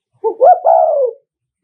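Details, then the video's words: Spotted dove of the Nghệ An type, a decoy bird cooing in the "thúc gù" style to provoke and lure rival males: one mellow phrase of about a second, a short low note, a rising note, then a long slurred falling coo. "Tiếng Chim Cu Gáy Thúc Gù"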